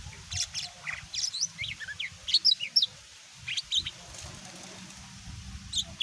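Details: Greater green leafbird, mini type, with song meant to stir other birds to answer; scattered bursts of sharp chirps, short whistled slurs and quick falling notes, separated by brief quiet gaps.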